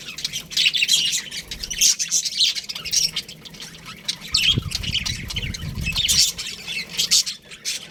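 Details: Baby budgerigars in an aviary chirping together: a dense, continuous chatter of overlapping high, scratchy chirps and short squawks from many birds, with brief low thumps midway.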